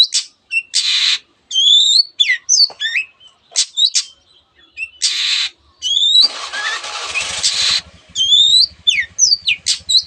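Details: Long-tailed shrike song full of borrowed phrases, including canary; harsh rasping bursts and high looping whistles, with a stretch of broad hissing noise and a low rumble partway through.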